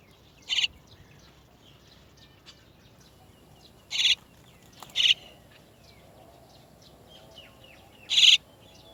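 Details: Chestnut-tailed starling adults coaxing chicks out of the nest give four abrupt harsh rasping notes at uneven gaps over nine seconds, with faint twittering from other birds in the background.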